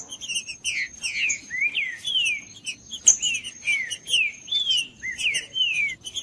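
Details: Green-winged saltator song played to warm up a cold trinca-ferro; a steady series of rich, downslurred whistles, each phrase sliding from high to lower pitch, repeated roughly every half second, with a faint continuous high hum.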